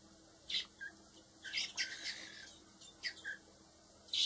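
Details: Hand-raised blackbird nestlings, four chicks being raised for later release, making scratchy high chirps and short rasping notes, some overlapping in quick bursts, with brief pauses between groups.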